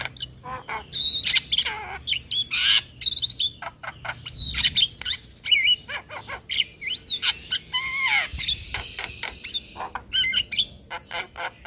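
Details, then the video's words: Young-bird training song of the Javan myna: a long varied medley of chattering squawks, clicks and whistled slurs, including a low descending whistle midway and a sustained buzzy note near the end. "Pancingan Dan Masteran Jalak Kebo Full isian Pas Buat Jalak Kebo Muda"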